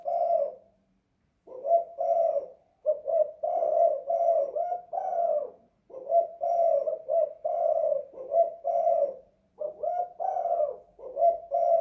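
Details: Tekukur (spotted dove) in a house giving kuk 2 / guk 1 coos: after an opening note and a pause, it keeps up a long run of repeated soft, hollow coos with short breaks.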